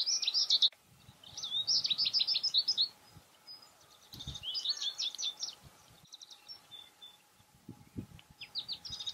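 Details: Goldfinch song from American goldfinches feeding on cosmos seeds in flower boxes beneath windows. High, jumbled twitters and trills come in several bursts with short pauses. Soft low thumps are also heard.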